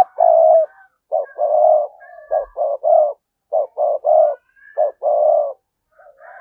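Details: Spotted dove lure giving dense, rapid cooing to provoke wild doves: a long coo, then runs of short and medium coos with faint higher overtones and little silence between them.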